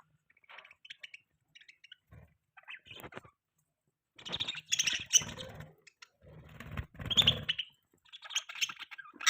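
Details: Pet budgerigars making mating sounds: scattered short high chirps and twitters at first, then dense, loud bursts of scratchy warbling and chattering from several birds toward the end.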